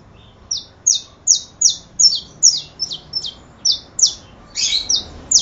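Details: A saffron finch, or canario da terra, delivering rapid high chirps that each drop sharply in pitch, evenly spaced and bright, ending with a denser, buzzier burst, over a calm, quiet background.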